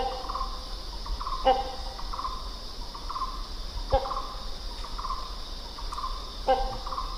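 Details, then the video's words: Hornbills call with short, hoarse honking notes about every two and a half seconds over a steady high insect drone. "The Sounds of Hornbill Birds"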